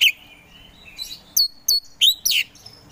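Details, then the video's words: Kacer poci Oriental magpie-robin giving a few clear whistled notes: an opening slur, a pause, then four sharp rising chips. "KACER POCI GACOR SANG PROVOKATOR || LELET SUSAH BUNYI SEKIAN DETIK LANGSUNG GACOR"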